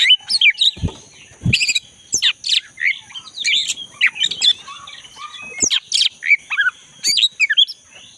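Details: Forest recording of a black-breasted oriental magpie-robin singing vigorously, intended to restart song in a caged bird that has gone quiet. Dense bursts of sharp whistles, scratchy notes and quick trills, backed by a constant high drone.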